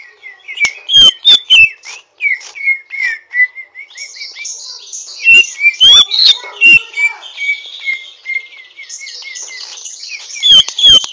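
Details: A greater green leafbird (Chloropsis sonnerati), still learning to sing fully, twitters roughly in quick, uneven bursts of high chirps and slurred whistles, with sharp clicks and taps between phrases.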